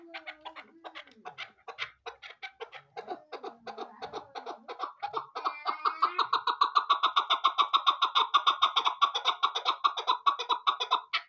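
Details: Chukar partridge, a hunting bird. A long run of short, harmonic, clucking notes starts slow and irregular, then speeds into a steady rapid chuckering of about two notes per second, growing louder toward the end.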